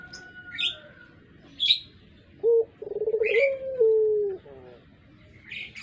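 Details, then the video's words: Puter pelung collared dove suited as a decoy bird: a short clipped note, then a quick rolling trill sliding into a long, gently descending coo. Sparrow-like chirps come before and after. "Burung puter pelung.cocok buat pancingan"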